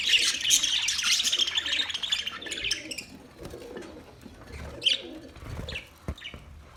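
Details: Chirping parrot sounds, loud and tightly packed for the first three seconds in a rapid high twitter, then thinning to a few scattered sharp notes and soft low knocks.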